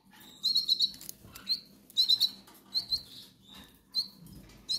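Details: Hungry goldfinch nestlings begging in the Canary Islands, giving high, thin, rapid chirps in bursts of two to four notes, separated by short pauses, with faint rustling behind.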